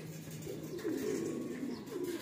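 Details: Domestic pigeons in a loft, kept birds released to fly: low, soft cooing that rises and wavers through the middle of the clip, with a faint steady hum beneath and slight room echo.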